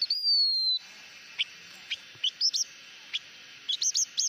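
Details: Blue-winged minla in hót mồi singing: it opens with a clear, slightly falling whistle lasting under a second, followed by scattered single high chirps and a quick cluster of sharp notes.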